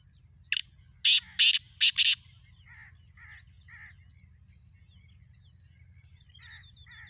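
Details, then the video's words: Black francolin calling in the morning: a burst of five loud, harsh, grating notes over about one and a half seconds. Softer, short chirps from another bird follow in a quiet background. "Kale teetar ki subah ki khubsurat awaaz"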